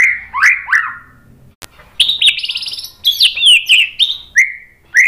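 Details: Energetic white-rumped shama song meant to provoke rival shamas: slurred whistles, a click, then rapid buzzy trills and high chattering phrases ending in rising whistles.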